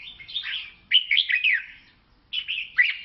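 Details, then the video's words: Red-whiskered bulbul from Laos singing bright, warbling phrases of quick rising and falling notes in three bursts separated by short pauses, with a clean, quiet background. "เสียงนกกลงหัวจุกลาว แววดี"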